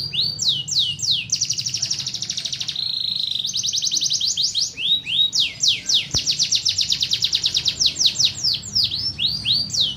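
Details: A canary sings long, varied phrases: rapid falling sweeps, a sustained buzzy trill, a lower steady whistle, then fast, dense, repeated trilled notes continuing to the end.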